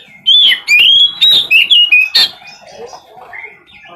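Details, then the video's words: Oriental magpie-robin in captivity singing nonstop as song therapy: loud clear whistled notes sliding up and down, sharp chipped accents, then softer twittering phrases over a faint background hum. "terapi burung kacer agar gacor tanpa jeda"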